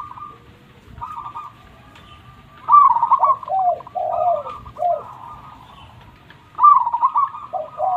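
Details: Loud song of a local zebra dove: a stuttering series of short clipped notes, then rolling, bubbling coos that dip and fall, repeated in two main bursts with a quiet gap between.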